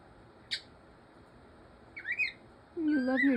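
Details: Male pet cockatiel playing with his toy dragon: a sharp click, a quick rising-and-falling chirp, then a longer, wavering voice-like phrase in a quiet room.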